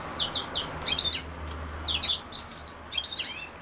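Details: Goldfinch singing near common sowthistle: a string of quick high chirps leading into tinkling twitter and a drawn-out thin buzzy note, with a soft low hum underneath.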